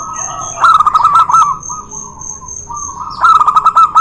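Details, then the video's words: Zebra doves, local versus white birds, sung to coax doves reluctant to call; two bursts of fast trilled, stuttering coos separated by softer sustained cooing, a thin steady high tone throughout. "PANCINGAN BURUNG PERKUTUT MALES BUNYI..DUEL MAUT LOKAL VS PERKUTUT PUTIH"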